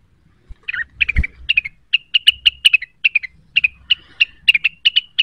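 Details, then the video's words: Provoked cucak wilis seeking a rival, singing busily: a long unbroken stream of sharp, high chirps and short whistles, about five notes a second, with a soft thump near the start. "pancingan cucak wilis cepat emosi terpancing bunyi"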